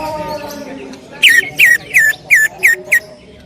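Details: Loud greater green leafbird song in the 'tembakan' style: after a second of quiet background, six powerful whistled strokes dropping steeply in pitch follow one another at a quick, even pace.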